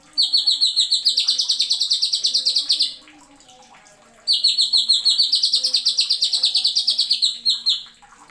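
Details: Greater green leafbird (cucak ijo) in a masteran tutor recording, firing 'nembak' song with sharp 'isian'. Two long volleys of fast, ringing high notes, each nearly three seconds long, are separated by a short silence.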